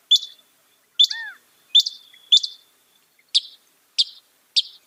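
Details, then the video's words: A northern mockingbird, a bird said to imitate 200 sounds, gives four sharp notes trailing into thin buzzy tails, then three short bright chirps, all isolated and clear on a silent background. "Masteran suara burung NORTHERN MOCKINGBIRE bisa merekam 200 suara"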